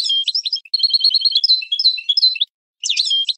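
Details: Loud European goldfinch song used to train caged birds, a jumbled tinkling and buzzy twitter of quick high notes with slurred whistles, a brief gap, then another short burst.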